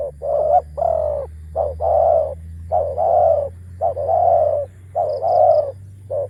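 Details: Decoy spotted dove with a deep voice cooing steadily, with short clipped notes alternating with longer drawn-out hollow coos in a continuous run. A faint high chirp sounds briefly near the end, over a low background hum.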